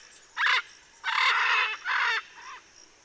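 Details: Macaws cooling off, 7 December 2023, Southern California: four loud, harsh, raspy squawks in about three seconds, the middle one drawn out longest, with no other sounds.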